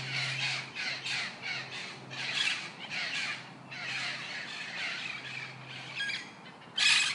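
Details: Colourful parrots giving rough, grating squawks in a steady run of short bursts, with a faint low hum underneath in places and a sharp loud screech at the very end.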